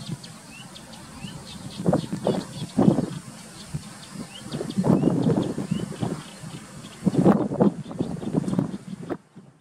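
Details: Greater flamingos on the Alcázar de San Juan lagoons, Ciudad Real, Spain, June 2021, giving deep gabbling honks in three loud bursts of overlapping calls, with faint high chirps of small birds in the background.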